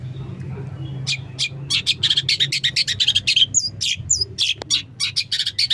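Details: Long-tailed shrike song packed with varied material: quick runs of dry chattering notes, then clear whistled slurs and scratchy chips delivered in a fast, uneven stream over a low background hum.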